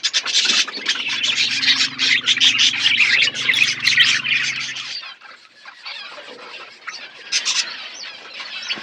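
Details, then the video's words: Budgies eating in an outdoor aviary chirp in a thick, fast chorus for about five seconds over a low humming tone, then the chatter thins to scattered softer notes. "Budgies parakeet eating food in outdoor aviary birds chirping sound"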